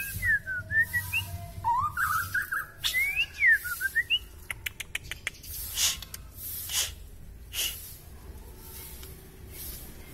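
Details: Gacor singing from a long-tailed white-rumped shama pouring out isian filler phrases: about four seconds of rapid twisting warbles and whistled slurs, followed by dry clicks, taps and scattered short notes.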